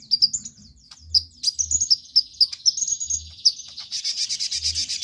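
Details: Brown-throated sunbird, called konin, singing hard as a prompt for other birds to start singing: a quick series of high sharp chirps, roughly four per second, ending in a dense buzzing high rattle, with faint low thuds.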